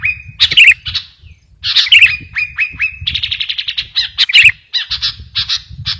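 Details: Lively sooty-headed bulbul singing, suited as a lure and master song: short steady whistles broken by sharp chirpy flourishes and a fast rattling trill, with low background rumble.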